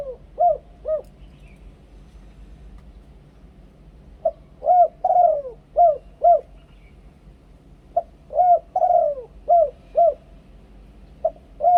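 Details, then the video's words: Close recording of a Thai decoy spotted dove singing two-kuk ku-ang phrases: repeated sets of low hooting coos, each built around one long falling note, delivered three times with pauses between, steady and clear against faint low hum. "นกเขาใหญ่ 2 กุก คูอ่าง เสียงต่อชัดๆ"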